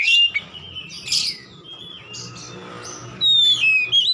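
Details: Oriental magpie-robin singing in the loud open 'ngeplong gacor' style used to train caged birds at home: a high whistled phrase opens, a softer stretch follows, then bright sliding whistles return near the end.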